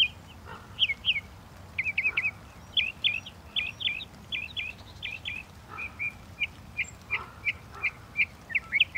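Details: Northern mockingbird song made of short, bright paired notes repeated in groups, with the phrase type switching every few seconds over a steady low hum.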